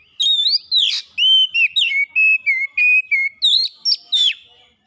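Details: Oriental magpie-robin singing steadily, meant to lure birds into singing: a string of clear whistled notes, falling slurs and rough buzzy chips repeated in quick succession, each note under half a second.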